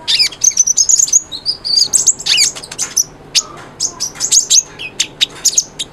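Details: Kolibri ninja, or konin, singing hard to prompt a quiet bird: thin high trilled phrases and sharp chirps in quick succession, thinning into spaced single chips.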